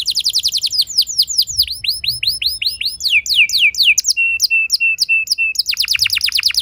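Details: Lure song of a young canary for prompting other canaries: fast descending notes, a run of curved whistles, a steady high repeated chirp, and a final rapid rattling trill.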